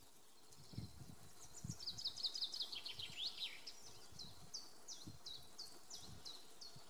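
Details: Eurasian wren recorded 12 April 2021 around 14:05 gives a fast, high, sharp trill that dips slightly, then a string of separate high chips, over a low wind rumble.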